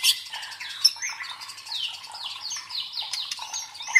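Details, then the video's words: White-rumped shama song used to train fighter birds' nerve: dense, fast, unbroken series of short falling whistled phrases and twitters, fairly soft throughout, with a few sharp accents. "MELATIH MENTAL FIGHTER MURAI BATU DENGAN SUARA PANCINGAN INI"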